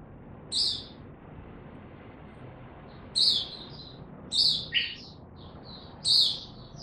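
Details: Oriental white-eye voicing short bursts of high, bright chirps separated by silent gaps of about one to two seconds, some bursts doubled into quick pairs.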